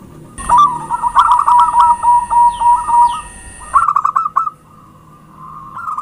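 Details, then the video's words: Zebra dove lure song, perkutut pancingan: a loud, rapid string of rounded cooing notes lasting over three seconds under a steady high electronic whine, followed by a short quick run and softer trailing coos. "Suara Pancingan perkutut gacor"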